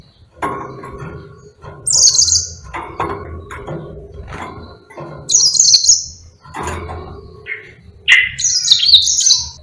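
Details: Short bursts of high, buzzy twittering from a Yellow-fronted canary singing lively song for tutoring other birds. The three phrases are spread between repeated low rustling and knocking noises.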